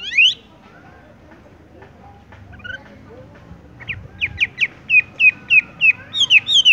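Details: Rolling wambie song, a Horsfield's bush lark in tung roll style: one rising note, a long near-silent gap, then a quickening series of sharp upward-sweeping whistles, roughly three per second.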